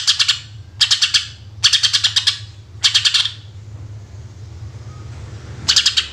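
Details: Lure recording of a chatty greater green leafbird: four close volleys of rapid, piercing, high staccato notes, then nearly two seconds of quiet before a fifth volley. A low background hum is present.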